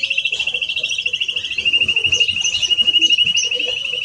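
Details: Male and female greenfinches, with one bird delivering a fast, even trill of rapid pulses held at one steady pitch throughout, and scattered higher twitters above it.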